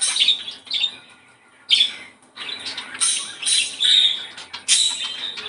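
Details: Budgerigar singing to encourage breeding condition, with harsh chattering bursts and a clear whistled note near four seconds, interrupted by brief quiet gaps.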